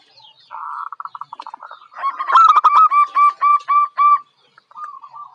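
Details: Young local zebra dove, said to be bold and ready for contests, delivers soft trilled coos that build into loud, evenly spaced pulsed notes, ending with a quieter purring phrase.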